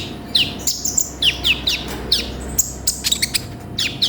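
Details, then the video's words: Konin (sunbird) in full song with varied isian, for tutoring songbirds: high downslurred chirps and short twittering notes, fairly evenly spaced, against a soft background hiss and low hum. "MASTERAN BURUNG KONIN GACOR FULL ISIAN"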